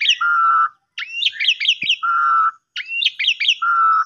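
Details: Asian pied starling singing steadily to prompt mute birds: long level whistles alternate with a rising slur and bursts of quick falling chirps, phrases separated by brief pauses, with a faint click.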